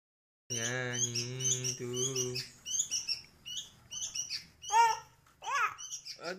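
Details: Young kutilang, a sooty-headed bulbul one month old kept as a pet, calls with series of thin high chirps and several sharp arched notes after a long steady low hum fades out.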